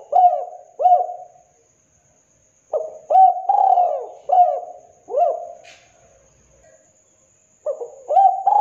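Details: Two soft falling coos from a local spotted dove calling vigorously, a pause, then a full phrase of hoot, long wavering coo and shorter coos, and the start of another phrase.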